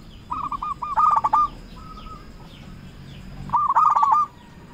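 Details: Zebra dove of local stock, a lively singer used to call out rival doves, gives bursts of quick, rolling, clipped coos. A faint steady hum and soft background noise run beneath.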